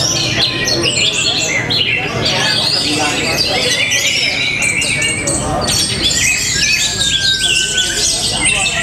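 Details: Busy song of an orange-headed thrush from Tabanan, Bali: harsh chattering notes and quick slurred whistles tumble together, ending with a long, gently falling clear whistle.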